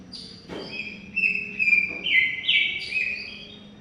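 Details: Greater green leafbird singing in a long continuous style, meant for birds that stop singing: bright whistled notes, buzzy warbled bursts rising toward the end, with a low background hum.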